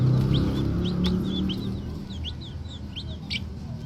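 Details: Green junglefowl young, still small, uttering quick sharp upward-flicked peeps in loose clusters, accompanied by a strong low hum that fades after the first second.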